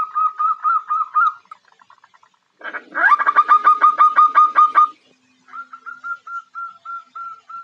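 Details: Female zebra dove calling to draw a male. Quick ringing notes, a faint interlude, a loud fast series of about fifteen notes, then slower evenly spaced whistled coos.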